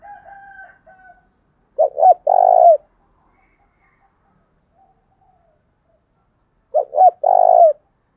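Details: Lure call of a spotted dove, thúc bổi style with a thổ đồng voice. Faint steady higher tones come first, then two coo phrases about five seconds apart, each two brief notes leading into a drawn-out, vibrating low coo.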